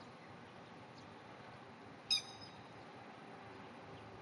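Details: Grey-headed lapwing pair at a rice paddy on 30 May 2010, calling as loudly as possible and spreading wings to drive off a cat; one sharp, high, ringing alarm note midway, over a steady background hiss.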